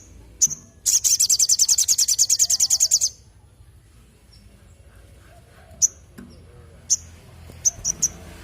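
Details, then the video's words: Crimson sunbird singing actively: one high chip, then a loud, fast, rattling trill of high notes lasting about two seconds, then scattered sharp chips over a quiet low hum. "BURUNG SOGON GACOR"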